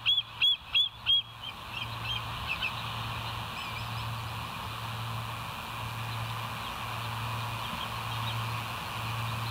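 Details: Bald eagle from the West End nest camera, 09/11/2023, 02:31: four quick high piping notes open the clip, then fainter chirps trail off into steady hiss and a low electrical hum.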